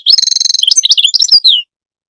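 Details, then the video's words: Continuous goldfinch song lasting under two seconds: a fast ringing trill of repeated notes followed by jumbled tinkling chirps and a final drawn-out descending note. "Goldfinch song Best bird song"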